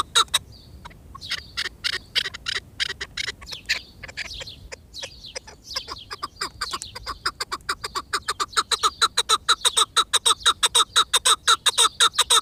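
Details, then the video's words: Chukar partridge call that starts with scattered, uneven clucks and gradually builds into a fast, rhythmic run of sharp repeated notes that grows louder and tighter toward the end. "Partridge Call | Chukar Sound"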